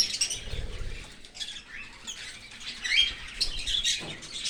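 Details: Open-aviary feeding of a cockatiel chick by its parent from outside the nest; hoarse, rasping chatter fluctuates throughout, with a few thin whistled notes and low fluttering thuds.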